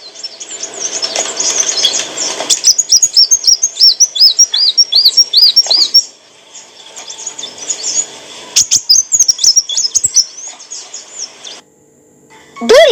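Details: Olive-backed sunbird song for training cage birds: a rushing noisy start, then a run of high arched whistles. A later burst of squeaky notes follows, and a loud knock ends the passage.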